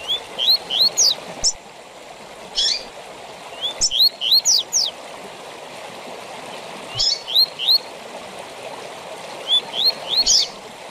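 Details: Tui tui zel zel song of a Double-collared seedeater, used as a training song for captive birds. Bursts of quick upslurred whistles end in steep downward zel notes, repeated several times with pauses, over constant water-like hiss.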